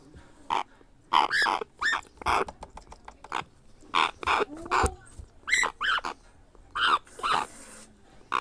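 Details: Young grey parrot during hand-feeding utters a steady series of coarse, buzzy, bending cries in pairs and runs, interspersed with clicks and feeding sounds.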